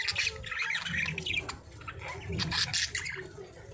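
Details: Budgerigars chirping and squawking, with harsh high chirps in clustered bursts over a steady low background hum.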